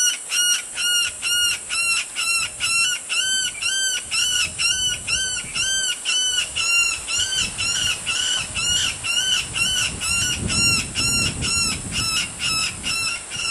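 A yellow-headed caracara gives harsh, hoarse screeches, about two each second, in a long steady series, with faint low rumbling behind.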